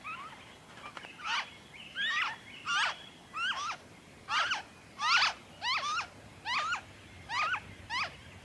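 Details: Victoria, Australia, February 2023: a noisy friarbird repeats raspy, twisting downslurred notes at a fairly even pace, roughly every seventy hundredths of a second, over faint background hum.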